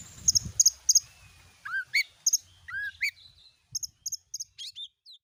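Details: White-rumped shama song meant to start a kept bird singing: paired high clicking notes alternate with rich down-slurred whistles, fairly soft throughout.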